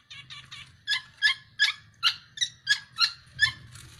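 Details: Tame Black-naped oriole in active, vigorous singing form: a few soft chattering notes, then a run of loud, harsh, ringing syllables about three times a second, each spanning a wide pitch band. A low hum runs underneath.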